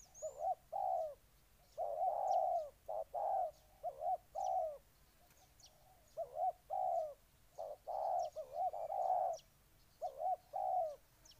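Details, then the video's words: Repeated cooing of a spotted dove recorded in Ninh Thuận, Vietnam: low, mellow notes bunched into phrases of two to four, recurring every couple of seconds, with scattered faint high chirps from other birds behind. "Cu gáy Ninh Thuận"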